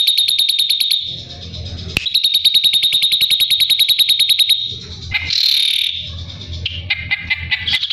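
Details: Ashy drongo song used as training material for white-rumped shamas, oriental magpie-robins and greater green leafbirds, described as sharp shots at tight speed: rapid bursts of high, evenly repeated notes, broken by harsher squeaky phrases and a low rumbling background.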